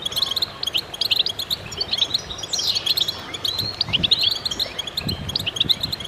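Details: Goldfinches singing in concert: many birds at once giving quick high chirps and liquid twitters, one sweeping descending slur just before the midpoint, and soft low thumps in the background.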